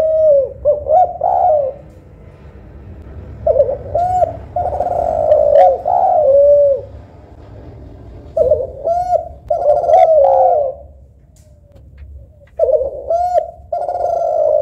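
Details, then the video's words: Cooing of either a local spotted dove (tekukur lokal) or a Kelantan derkuku, set side by side to judge which sounds softer and more melodious. Four mellow phrases of rising hooked notes and drawn coos are separated by pauses, with a low hum underneath. "Tekukur Lokal Vs Derkuku Kelantan ‼️ Manakah Yang Lebih Syahdu & Merdu Yah Lur ?"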